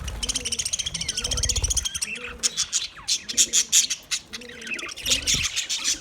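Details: Budgies keep up a busy high twittering of fast repeated clicks and short warbled notes, with occasional sharper chirps; low, soft cooing phrases sound in the background.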